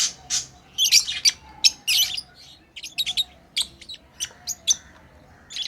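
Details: Pet lovebirds chirping while playing: sharp, high-pitched chirps and short buzzy squeaks in irregular bursts, several overlapping, separated by brief quiet gaps with faint low background hum.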